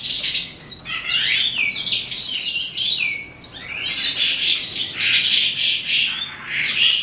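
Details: Eastern Calandra Lark singing at the end of the day: a continuous, high, jumbled stream of chirps, slurred whistles and scratchy notes, flowing without pause.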